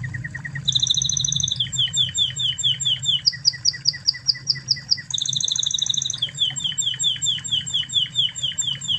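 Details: Spanish Timbrado canary of original Spanish stock, a master recording used to train other canaries: bright high tours of rapidly repeated notes, each series held for a second or two before switching to a new syllable, with a low steady hum beneath.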